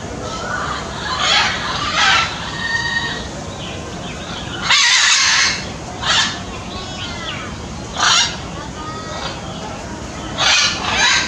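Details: Blue-and-yellow macaw recorded on 10 March 2018, giving loud harsh raspy squawks every one to three seconds over constant broadband background noise.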